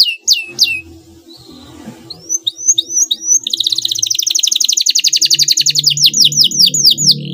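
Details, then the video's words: Canary song used as a lure to draw a rival's reply: a few sharp falling whistles, a short quiet gap, then rising swoops leading into a long, fast, rattling trill with faint low rumble. "pancingan bunyi kenari ini sudah terbukti ampuh membuat lawan tatah langsung respon"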